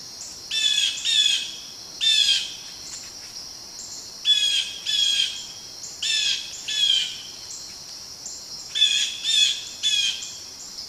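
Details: Blue jays mobbing a barred owl: harsh, buzzy jeer calls with layered harmonics, given in pairs and short bursts about every two seconds over steady high insect hum.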